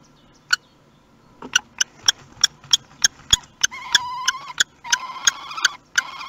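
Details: Common kestrel at a nest box webcam in Théding, France, during the first visit of the 2021 season on 30 March 2021: a run of sharp ticking clicks, then drawn-out, whining harmonic notes, some sliding, repeated in quick succession.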